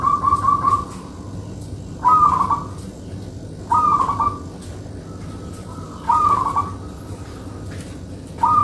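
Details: Local zebra dove singing tightly: a fast trilled opening followed by five short warbling coo phrases spaced irregularly, one to two seconds apart, each bright and mid-pitched over a faint hum.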